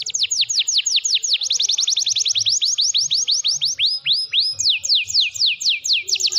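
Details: Canary singing for a bird-training recording: loud, piercing notes that sweep steeply downward, repeated rapidly in long runs, with short tempo changes and a few lower swooping notes midway.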